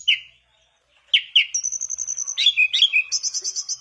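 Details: Mangrove blue flycatcher singing to draw other birds into song: one sharp note, a brief silence, then a tumbling series of pure whistles and a rapid high trill.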